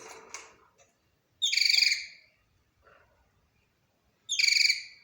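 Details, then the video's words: Budgerigar song: a quiet scratchy chatter followed by two loud, rapidly pulsing, bright chirps, each lasting under a second and spaced nearly three seconds apart, with near silence in between. "أجمل صوت لطائر البادجي"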